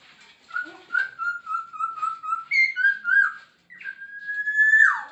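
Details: Masked laughingthrush in full, vigorous song with mimicked phrases: a run of even whistled notes repeated rapidly, then higher slurred phrases, a short pause and a long sustained rising whistle, indoors.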